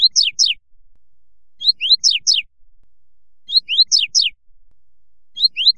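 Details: Coleiro (double-collared seedeater) canto fibra: bright high phrases, each with a short starting note, an upward-sliding whistle and two fast downward sweeps, repeated at an even two-second rhythm, three full phrases.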